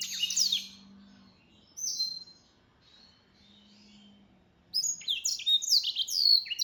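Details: A singing mule (hybrid) black-throated canary gives bright bursts of quick, down-slurred whistles and twittering trills.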